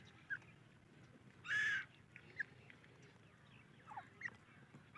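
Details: A female grey francolin gives one loud, raspy, burst-like call lasting under half a second, then quieter clipped notes follow while other small birds chirp softly around her.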